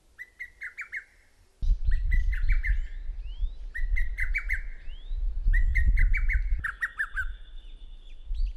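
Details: Lesser cuckoo, a shy summer visitor in Korea that hides in the forest and is hard to see, gives quick bursts of four to six loud, clipped whistled notes, repeated every second or two, over low rumbling wind or handling noise.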